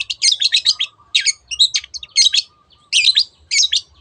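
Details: Long-tailed shrike singing 'teot teot' as a lure to encourage other birds to sing. Clustered phrases of squeaky, scratchy chatter and whistles arrive in tight groups separated by brief gaps.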